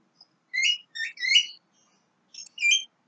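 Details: Young Javan myna delivering rapid whistled phrases of stacked, slurred notes, three joined bursts followed by a short pause and two more clipped whistles; no other sounds.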